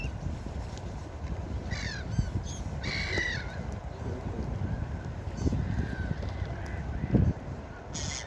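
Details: Seaside gulls uttering a few loud, wavering, falling screams in the first seconds, then quieter calls, with heavy surf rumble and occasional thuds throughout.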